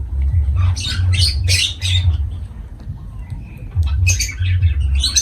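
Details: Lovebirds giving loud, harsh squawks in short bursts, several in quick succession, then a pause and another run, over a steady low rumbling hum.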